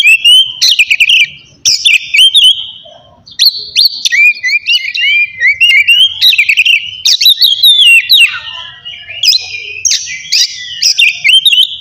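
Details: Oriental magpie-robin delivering loud ngeplong song meant to goad lazy or rival kacer into singing: almost continuous run of varied whistles, sharp chips and warbled slurs, with a brief drop-off early on.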